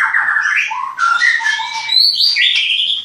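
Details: White-rumped shama at a bird-breeding farm in Klaten, Indonesia, singing a rapid, varied phrase of slurred whistles that sweep down and then climb into bright high notes, with a short pause midway.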